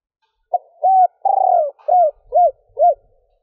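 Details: Female spotted dove cooing to excite males: one full phrase of a short note, a smooth coo, a stammering drawn-out note falling at the end, and three short arched coos.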